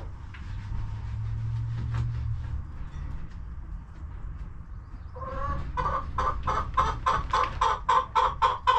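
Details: Domestic chickens in a cozy homestead coop. A low steady hum fills the first five seconds, then a hen starts a fast train of clipped, nasal clucks that grow louder toward the end.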